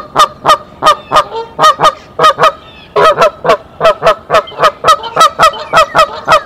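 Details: Mother goose on her nest at Decorah, 27 March 2023, sounding the alarm to call the male; a fast series of loud, harsh honks, about twenty in six seconds, with brief pauses between runs.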